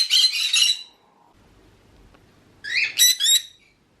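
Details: Pet green-cheeked conure calling to flock members or its owner, a contact call also given when over-excited or seeking attention; two bursts of harsh, buzzy squawking, one at the start and another after a two-second pause, the second rising then repeated.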